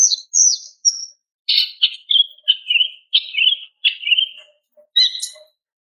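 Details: Greater green leafbird female calling a male: high slurred whistles, then a steady series of sharp, descending chirps about every half second, closing with a bright squeaky note.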